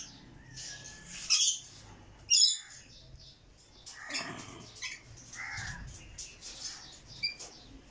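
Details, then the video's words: Rainbow lorikeet, also named red malcund lorikeet, with two loud shrill screeches early on, then softer mixed chirps and squeaks. "Red malcund Lorikeet"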